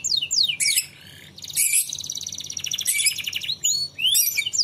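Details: Canary song played to prompt young birds to sing: fast high rolling trills, sweeping whistled slides and bursts of dense buzzy notes with brief pauses between phrases.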